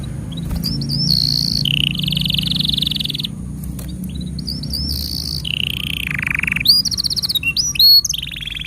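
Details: Canary song used as a master recording to tutor young birds and coax silent canaries. Sustained buzzy rolls at changing pitches, some dropping lower, broken by short pauses, ending in quick sharp chirps and a high whistle.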